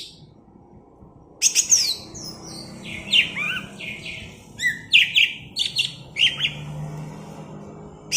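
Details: Cucak ijo from Alas Purwo, Banyuwangi, delivering the bebeci song considered a sign of contest potential: after silence, varied high whistles, descending slurs and clipped chirps in irregular phrases.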